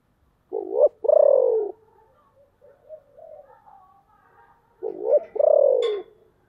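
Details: Deep-voiced decoy spotted dove calling to lure wild doves: two loud coo phrases, each a short wavering note then a longer falling coo, separated by about four seconds of faint soft murmuring.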